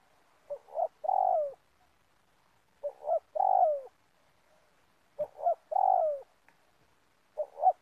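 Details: Spotted dove calling repeatedly while wild doves are lured for trapping in an oil palm plantation: low three-part coos, two brief notes and a longer falling note, repeated about every two and a half seconds, with a faint click.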